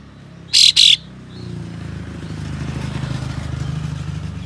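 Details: Ashy tailorbird (kapas tembak) spreading its tail and uttering rough 'besetan' calls to provoke rival birds: a quick double rasping buzz, followed by the rumble of a passing vehicle.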